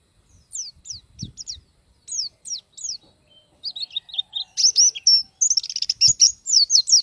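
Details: Oriental white-eye singing as a model for other cage birds: separate thin downslurred whistles at first, then building into a rapid, buzzy, high twitter of dense chirps toward the end.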